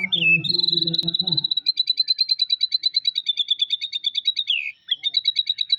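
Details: Caged White-rumped Shama (murai batu) singing tembakan, mimicked phrases of lovebird and prenjak (prinia) calls. A long, fast, buzzy trill of high repeated notes, many per second, follows a low hum at the start.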